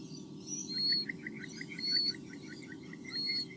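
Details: Two white-bellied sea eagle chicks in their nest in Australia on 8 August 2015, recorded by a nest camera: a rapid run of short, repeated chirping notes, with higher whistles of other birds and a steady low hum.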